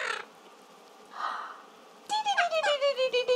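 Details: A male pet yellow-collared macaw, played with indoors at Christmas, gives a quick run of about eight harsh, nasal squawks, dropping slightly in pitch, after a few brief human words.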